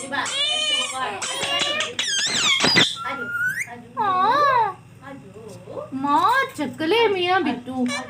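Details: Green ringneck parrot kept as a pet, speaking: nasal, high-pitched imitated words in wavering bursts, mixed with a lower human voice talking to it in a small room.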